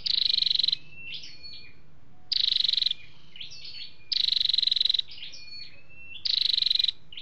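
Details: Male and female flowerpecker (chim sâu đầu đỏ) calls, kept as a lure for trapping or rousing caged birds. Rapid high rattling trills, each under a second, repeat about every two seconds, with thin sliding squeaks between them.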